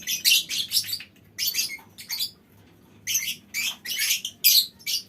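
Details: Several lovebirds calling as a colony: rapid, piercing squeaky chirps in clustered bursts, roughly two per second, separated by a brief silent stretch midway.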